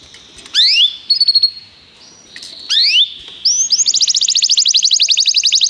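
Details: Canaries sing as training song: sharp upswept whistled notes and brief trills, a pause, then a long fast rolling tour of rapid repeated chips to the end.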